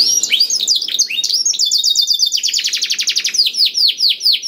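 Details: A black-throated canary sings to stimulate other canaries, its song a dense string of quick high sweeping notes that speed into a tight trill, then slow into broader downslurred whistles.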